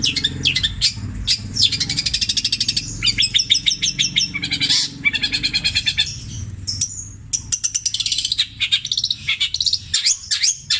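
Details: Long-tailed shrike (cendet) from Java with extended repeated imitations of tengkek buto, kuntilanak and sparrow, petir style: alternating fast buzzy trills and chattering bursts, high-pitched, separated by short gaps.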